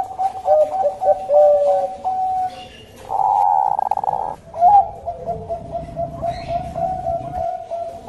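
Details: Bangkok zebra dove lure song, a mix of gliding and held coos, broken by a loud buzzing burst lasting over a second, followed by a long, even train of rapid coo notes.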